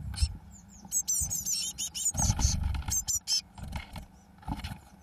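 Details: Eurasian blue tit chicks on day 21, 1 June 2012, as the first two chicks fledge, give rapid, high, thin chirps in quick bursts, with dull low thumps and rumbles between them.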